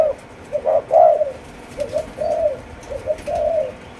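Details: Four-month-old spotted dove of Malaysian line cooing: low, soft rounded coos in short groups, a brief lead note followed by a longer drawn coo, repeated three times with faint background hiss.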